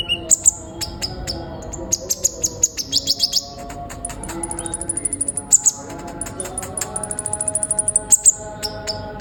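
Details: Sunbird in lively, persistent song, kept for birdkeeping playback: rapid high, thin chirps and sharp ticking notes in bursts, some quick trilled runs, over a steady low hum.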